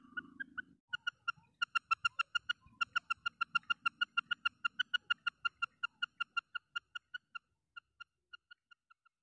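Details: Female common quail calling, a rapid series of short, evenly pitched notes repeated about three per second for several seconds, fading toward the end, with a faint low murmur underneath at the start.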